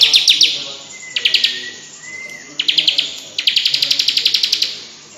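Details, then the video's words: Tame bar-winged prinia played with by hand, giving short bursts of rapid, high, evenly spaced chipping notes separated by pauses, while a thin steady mid-pitched whistle runs underneath in the middle. "CIBLEK gacor jinak di mainin pake jari tangan langsung nembak suara nya"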